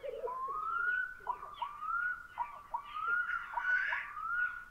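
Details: Black-throated loon on Lake Puula, Finland, after sunset on 22 May 2020, giving long, mournful whistled wails that slide upward and repeat about every second, over the soft low bubbling of a displaying male black grouse.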